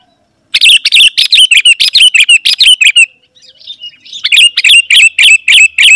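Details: Sooty-headed bulbul singing vigorously, a sound used to lure wild bulbuls to answer and approach: a fast run of sharp chirps around 2–4 thousand cycles, a short pause near three seconds, then another rapid burst of similar notes.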